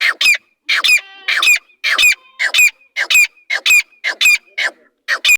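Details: Partridge (teetar) kept by its owner giving rapid, harsh, grating calls in close pairs, repeated steadily nearly twice a second, with a faint ringing tone between bursts; no other sounds.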